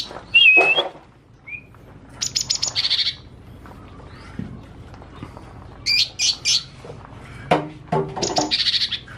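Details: Young, still-spotted mini green leafbird delivering bright, varied phrases that imitate other birds, among them gelatik batu, kepodang and kutilang emas: sharp chattering bursts, a clear whistle and rapid high trills in short spurts, with men talking quietly nearby.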